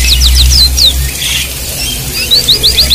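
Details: White-eye song used as a water-therapy training recording for white-eyes that have stopped singing: quick bursts of thin, high, downslurred chirps at the start and end, over a constant low hum.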